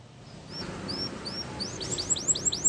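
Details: Canary singing for training, a faint series of thin high whistled notes that begins softly and grows louder and quicker, ending in rapid bright trills over low background hum.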